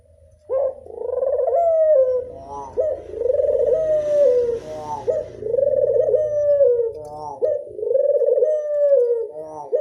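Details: Long run of classic angungan cooing by a local Barbary dove: about five throbbing, trilled coo phrases, each with a steep rising start and sagging finish, over a faint low hum and some light rustling.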